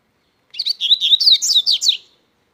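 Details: Double-collared seedeater singing strongly, a loud, rapid phrase of high, warbled, slurred notes rising and falling for about a second and a half, with no other sounds.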